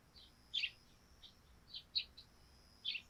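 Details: Sparrow chirping on a thatched roof in morning dew, a quick scatter of short high tweets, some doubled, about five within three seconds over a quiet steady hiss.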